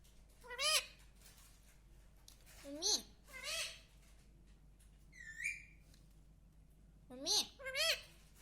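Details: Pet parrot saying "mummy papa" in a softer, more distant take: several brief harsh rising-falling syllables in small groups, plus one higher whistled note in the middle, over steady low background noise.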